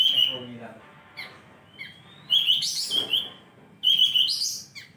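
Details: Bulbul singing actively: loud, liquid whistled phrases delivered in strong bursts about every one to two seconds, with rich overtones and quieter thin notes in between.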